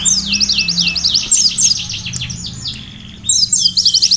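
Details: Sunbird in lively, full song, recorded as training material for canaries: high thin downward sweeps run into rapid buzzy trills, repeated phrases crowding together, with a brief quieter gap before the trills resume.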